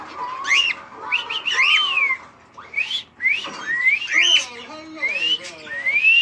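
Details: Cockatiel out of his cage in a living room, free to fly: a run of upswept whistles and sliding notes broken by brief gaps, with some lower harmonic chatter in the middle.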